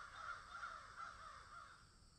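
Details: Crows calling in a garden where magpies are also present: several harsh caws close together in the first second and a half, then fading, with a faint continuous hum behind them.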